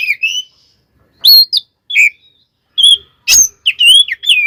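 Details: Oriental magpie-robin delivering its rival-provoking 'tarung konslet' song: clear whistled slurs, some high and thin, separated by short gaps, with one sharp rasping burst before a final string of wavering whistles.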